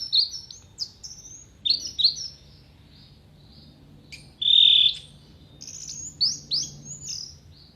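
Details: Orange-headed thrush singing varied contest-style song with mimicked phrases. High, sharp whistled slurs and quick downswept notes come in bursts, with one longer, loud, steady whistle midway, over a low background hum.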